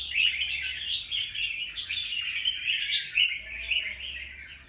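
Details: Red-whiskered bulbul, wild-caught, in its second season and fresh plumage, delivering steady, busy chirping song with sharp accented notes. A faint low tonal sound comes in near the end.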